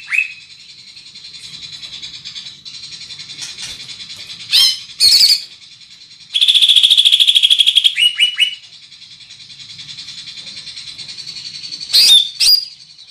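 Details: Large-bodied greater green leafbird with a loud, carrying voice, singing over a steady high trill: scattered sharp harsh notes, then a long buzzy rattling chatter lasting nearly two seconds, and further shrill bursts.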